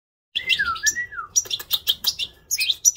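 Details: Goldfinch mule singing. Clear slurred whistles fall in pitch, then give way to a fast series of bright, chipping twitters and a closing run of sharp tinkling notes. The background is quiet.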